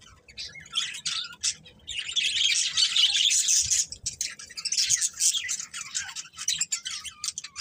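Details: Budgerigars chirping: dense, fast chattering warble of scratchy high chirps and twitters, nearly continuous with brief pauses, several birds overlapping.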